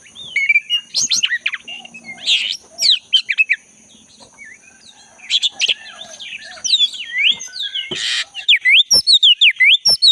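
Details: Vigorous song of a black-breasted Oriental magpie-robin from the forest, played to coax a caged bird that has gone quiet: rich mix of slurred whistles, harsh notes and rapid repeated chips ending in a fast series, over a steady high hum.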